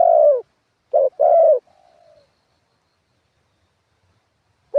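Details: Spotted dove used as a ground decoy, 'karam pa' wild-style song with 'khat' and 'nun': the end of one coo, a full phrase of a clipped note, long coo and faint trailing hum, then another phrase starting.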